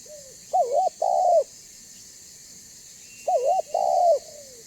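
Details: Spotted dove of the banggo type, a call used as a lure to make other spotted doves call and approach: two mellow double-note coos, each a quick wavering note then a longer fuller one, about three seconds apart, with a faint steady hiss behind.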